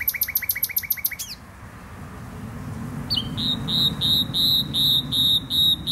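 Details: In Poznań's botanical garden, Poland, a nightingale opens with a rapid rattling series of sharp notes, pauses, then repeats a loud, pure whistled note about eight times in a steady rhythm.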